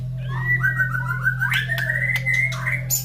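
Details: Caged White-rumped shama singing in the morning after feeding, placed near other caged birds: a long, sliding whistled phrase that wavers gently up and down, broken by sharp clicks, with a steady low hum beneath.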